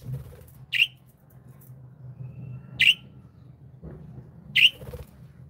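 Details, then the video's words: Single bright chirps from happy pet budgerigars, about one every two seconds, three in all, over a busy low rumble of room noise. "Happy Budgies | happy budgie sound"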